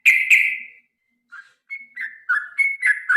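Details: Yellow-vented Bulbul fighting song: two harsh chattering notes open, then after a short pause a run of quick bubbly whistled phrases alternating higher and lower.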